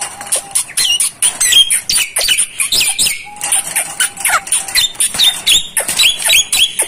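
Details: Javan myna singing, used as a training recording for captive mynas: a dense, fast stream of high, squeaky, chattering notes and short whistles, pulsing about twice per second with hardly a pause.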